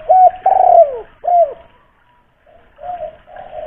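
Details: Spotted dove, local lure bird from Kuningan, West Java, with a big voice meant to set other doves calling; low resonant coos, a long drawn note then a shorter one, pause, then softer cooing.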